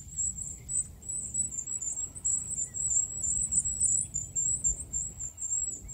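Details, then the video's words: Wild goldcrest pouring out an extremely high, needle-thin, rapidly pulsing song that barely pauses, slightly rising and falling, over soft low background rumble. "chant et cris du roitelet huppé / song & calls of goldcrest"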